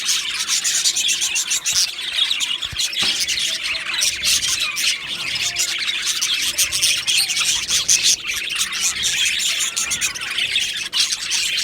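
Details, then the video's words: Australian budgerigars in an aviary colony, many birds chirping at once: a dense, continuous wash of high chattering warbles, squawks and sharp clicks with no pauses. "Beautiful Budgies Birds Chirping Sounds"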